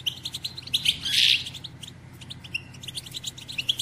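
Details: Female goldfinch calling to excite males into singing and breeding: rapid bright chirps in quick bursts, a harsh noisy swell just after one second, then renewed thin, rhythmic twittering to the end over a low steady hum.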